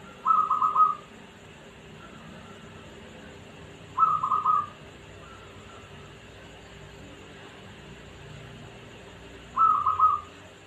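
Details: Zebra dove, a local bird from Pekalongan, repeating a brief rolling coo of rapid staccato notes at a mid pitch three times, roughly every four to five seconds, with quiet hum between phrases.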